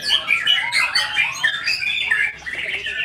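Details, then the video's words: White-rumped shama singing a loud, fluid run of clear whistled notes mixed with quick slurred phrases and rattling trills, delivered rapidly and irregularly. "IN ACTION MURAI BATU SAKTI"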